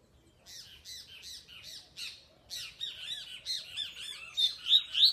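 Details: Male coleiro singing a run of rapid buzzy, chattering notes repeated about three times a second, growing louder and ending in sharper high whistled slurs.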